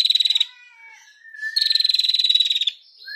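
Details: A female prinia sings actively, giving fast, dry, high ticking trills: one short burst, then a longer one of about fifteen notes a second, with a few thin whistles between.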